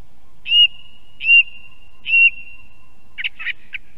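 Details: At an osprey nest cam in Estonia, a song thrush sings a clear, slurred whistled phrase three times at a steady pace, then breaks into a quick burst of varied, scratchy notes.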